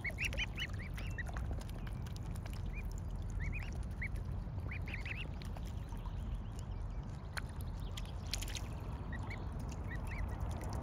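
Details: Mute swan cygnets giving thin, high, arched peeps, single and in quick pairs, scattered through the clip, set against a steady low rumble of wind or water.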